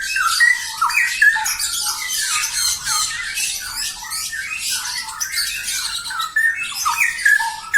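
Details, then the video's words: A pair of straw-headed bulbuls singing vigorously: loud bubbling phrases with sliding whistled notes, set against dense harsh, noisy chatter that runs almost without pause and swells in bursts. "Suara kicau burung cucak rowo gacor sepasang"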